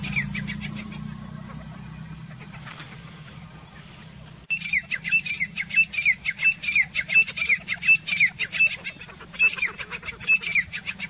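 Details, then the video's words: Grey francolin calling in jungle, a mother with one-day-old chicks; after four seconds of low rumbling background, loud rapid harsh repeated notes burst out in quick pulsing series, running continuously to the end. "teetar ka environment family video chicks baby age only one day mother"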